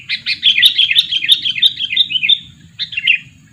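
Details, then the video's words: Sooty-headed bulbul decoy, two years old, used to lure wild birds, giving a fast run of bright chattering notes that stops briefly, then two more short phrases, with a faint low rumble behind. "Pikat burung kutilang , burung kutilang pikat umur 2 tahun"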